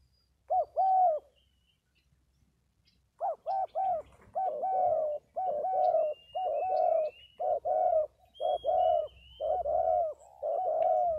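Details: Spotted dove in Vietnam: one clipped two-note coo, a pause, then a steady run of about ten paired coos, a short note and a longer mellow one, roughly one pair per second, with faint high thin notes behind.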